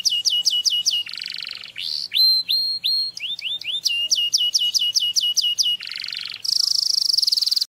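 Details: Canary song offered for another bird to learn: quick series of bright, ringing repeated notes alternating with harsh buzzy rolls and upward-sweeping whistles, ending in a dense rattling trill.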